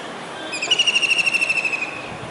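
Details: A kingfisher calling from a dish antenna on a building in Surat, Gujarat, during a rainy July 2019 day, seemingly searching for someone: one long, rapid, ringing trill of sharp repeated notes, steady in pitch and fading slightly at the end.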